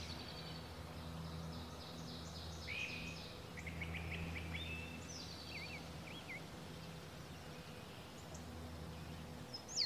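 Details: Indigo bunting singing on 22 May 2021 at Hyde Tract and Bannister Lake: high, bright phrases of quick paired notes and slurred whistles, over a steady low background rumble.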